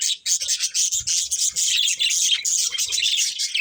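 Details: Budgies at play produce an unbroken, busy twittering warble of fast, overlapping chirps and buzzy notes throughout, with soft low taps underneath.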